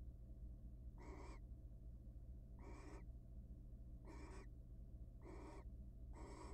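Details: Five hoarse, hissing barn owl screeches, each about a third of a second, come roughly every 1.4 seconds. The wild birds are in a monitored nest box, mating ahead of egg laying, with a low mechanical hum underneath.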